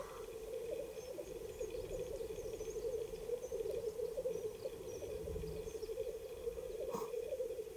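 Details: Black grouse males at an April 2020 lek in the mountains of the Ketmen Range, Kazakhstan, filmed on an iPhone: continuous pulsing, dove-like bubbling from several birds, with faint higher chirps above and one brief sharp click.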